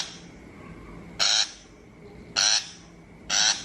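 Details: Shrike call used as a lure for trapping: after a quiet start, three grating, buzzy chacks arrive about a second apart.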